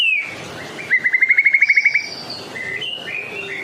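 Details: White-rumped shama from Medan singing energetically, song used as a lure for other shamas: whistled phrases with a fast even trill of about a dozen repeated notes, then higher clear whistles and varied short notes.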